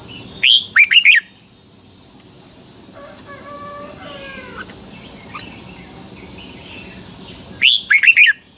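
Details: Caged Thai red-whiskered bulbul of Pa La-u stock singing phleng boen style. A quick warbled phrase opens and another closes the stretch, with a faint harmonic wavering call and a steady high hum between them.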